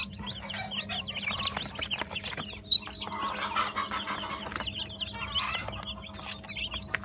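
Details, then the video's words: Dense chorus of newly hatched Brahma chicks from a batch of 80, hatched 17 June 2018, peeping constantly in high, short, overlapping chirps, with a steady low hum underneath. "YENİ ÇIKIM , SÜRÜSÜNE BEREKET 80 ADET BRAHMA"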